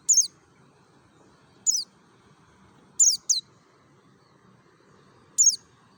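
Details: Lure recording of a mountain white-eye from Merapi, ngalas style: bright, very high downward-sweeping chips, single or doubled, coming every one to two seconds against a quiet background.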